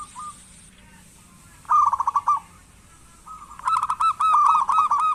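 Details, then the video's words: Lively local zebra dove, kept as a lure so sluggish doves start calling, gives two bursts of rapid bubbling coos after a quiet stretch. The second burst is longer and more ringing, with soft faint notes before it. "Perkutut lokal gacor pancingan perkutut malas agar bunyi"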